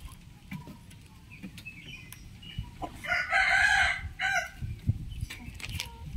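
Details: Rooster crowing in the morning: one loud, drawn-out crow lasting about a second over steady background noise and scattered clucks and knocks.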